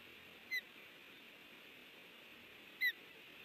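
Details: Osprey at a nest in Hellgate, Montana, on 30 June 2019 at 10:55, on a nest camera as one intruder lands and another passes after fish is delivered: two short, sharp, whistled chirps about two seconds apart over steady hiss.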